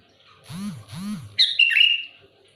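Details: Sooty-headed bulbul singing loudly to challenge rival birds. Two lower, wavering, rising-and-falling sounds come first, then a quick, bright phrase of slurred whistles that dips and flattens out.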